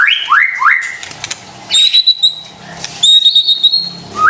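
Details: White-rumped shama lure song for stressed, silent birds: three rising whistled slurs, then quiet, then bursts of sharp high chips and a long thin high whistle, with gaps between phrases.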